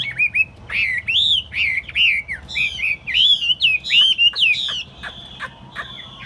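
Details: Chinese hwamei, tame and in a portable cage set on a table, sings loud, bright, rising and falling whistles in quick succession, ending in a series of short clipped notes.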